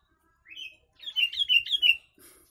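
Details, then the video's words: Single warbled phrase of a yellow-vented bulbul singing with inserted kutilang (sooty-headed bulbul) phrases, for tutoring birds: a rising whistled lead-in followed by a rapid, rolling series of liquid, descending notes. "Trucuk Isian Kutilang"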